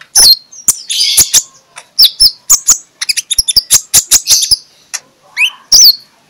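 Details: Oriental magpie-robin (konin) in morning song, used to rouse lazy birds. Dense sharp clicks and ticks run in quick series around whistled and warbled notes. A clear slurred whistle stands out near the end.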